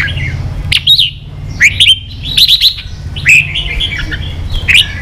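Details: Kept red-whiskered bulbul from Vietnam, stirred up to compete, sings clear whistled notes that slur upward and downward, grouped in short lively bursts with brief pauses. A low hum runs underneath.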